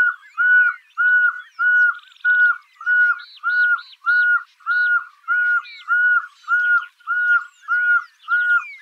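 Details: Pearl-spotted owlet (Glaucidium perlatum), song.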